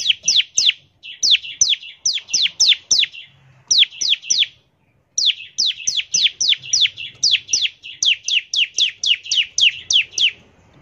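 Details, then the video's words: Bar-winged prinia singing fast 'ngebren' song as a lure to make prinias sing: long series of sharp descending chirps in tight groups, one clear pause midway, then a sustained rapid run. "ciblek gacor, nembak NGEBREN untuk pancingan ciblek agar cepat bunyi"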